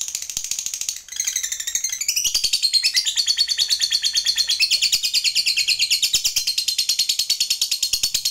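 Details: Lovebird of the fighter type singing the extended 'ngekek' chatter to call an opponent. After a brief dip near the start comes a steady, rapid, shrill trill of repeated notes, about three per second, running on continuously.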